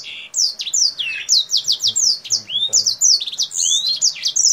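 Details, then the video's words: Kingthroat singing actively, wings spread, its song like a blackthroat's: quick descending whistled notes, chips and a rising slur in a busy high-pitched sequence. "KINGTHROAT GACOR Atas Bawah BUKA SAYAP || Mirip Suara BlackThroat"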